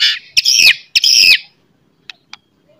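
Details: White-rumped shama song heard in the morning, used to provoke rival shamas to fight: two rasping notes that slide downward, each about a third of a second long, followed by two faint clicks.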